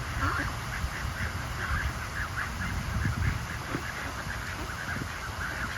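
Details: Mallard ducks quacking by the water while socialising, short rough quacks repeated irregularly through the clip over steady low background rumble.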